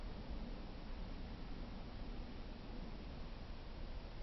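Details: Steady broadband hiss and low rumble with no animal voice anywhere.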